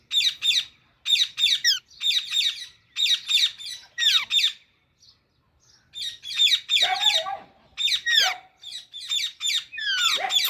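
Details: Young Alexandrine parakeet giving dense, high, scratchy chirps in rapid clusters, broken by a brief pause, then resuming with some lower, harsher squawk-like notes mixed among the quick chirping bursts.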